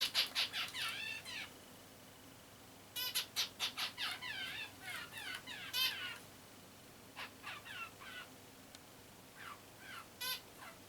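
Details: A female zebra finch gives bursts of nasal, buzzy calls, several quick notes at a time with short pauses, her "let's make a nest here" sound.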